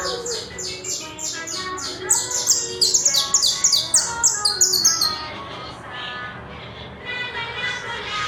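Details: Colombian creole saffron finch, the coarse or brown type, singing loud and clear: fast repeated high buzzy notes sliding downward, a dense rapid burst midway, then slower lower warbled phrases.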